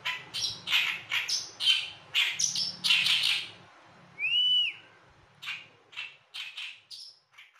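An Oriental reed warbler sings in harsh, grating, chattering bursts, with one clear upslurred whistle partway through and a faint low hum underneath.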